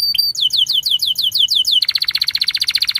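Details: Canary in full song, used as a prompt for young canaries learning to sing: a quick series of descending whistled slurs repeated about six times, then switching to a fast, dense rattling trill.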